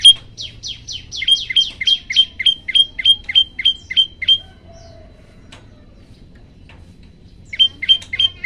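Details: Olive-backed tailorbird song used as a training recording to set other birds singing: a fast run of about eleven loud, sharp, down-slurred whistled notes, roughly three per second, then a pause of three seconds before the notes resume.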